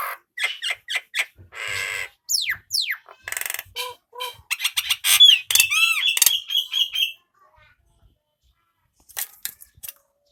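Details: Male Nias hill myna song for training other birds: fast loud sequence of sharp whistles, downward slurs, buzzy rattles and warbled notes, ending in quiet after about seven seconds.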